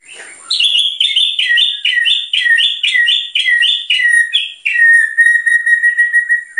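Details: White-rumped shama singing steadily with shots said to rile other birds: clear two-note whistled phrases, a higher note dropping to a lower one, repeated about every half second, ending in a long steady whistle.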